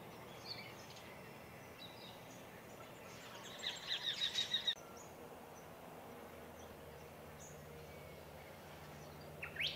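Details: Little Eagle foraging from a regularly used high eucalypt branch in Victoria, Australia, on 11 October 2022, giving a quick run of six or seven high, clear whistled notes over about a second, with background hiss and a brief chirp near the end.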